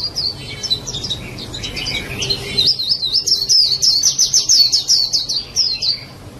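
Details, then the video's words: White-eye singing a high, fast twittering song, first scattered chirps, then a long rapid run of thin whistled notes repeated several times per second, over low steady background hum. "SUARA BURUNG PLECI"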